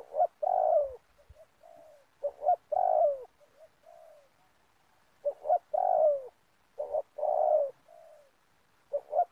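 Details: Spotted dove in an oil palm plantation, recorded during luring for trapping. It gives steady rounds of hollow coos, each two clipped notes then a longer downward-bending note, with faint soft coos and light knocks between.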